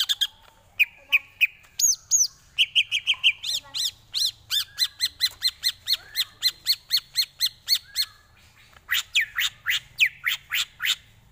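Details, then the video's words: Greater green leafbird tutor song for training birds: long energetic sequence of rapid repeated sharp notes and buzzy trills, steady fast rhythm, ending with downward-sweeping calls. "Lagunya Masuk ini Bos, Enak buat masteran"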